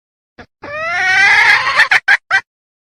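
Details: Sumatran red junglefowl hen in heat, her voice used to lure males: a short opening note, then a drawn-out rising raspy squawk ending in three brief sharp notes.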